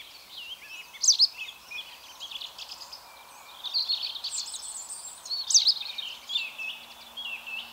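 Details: White wagtail calling at Mønsted, 27 March 2020: sharp, high chirps twice, a few seconds apart, with scratchy twittering between them over a soft background hiss.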